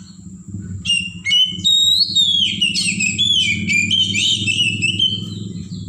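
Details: Wild Oriental magpie-robin from the forest, used as a lure to make caged birds sing: a rich, fast run of varied whistles and trills, sliding up and down, over a steady low hum.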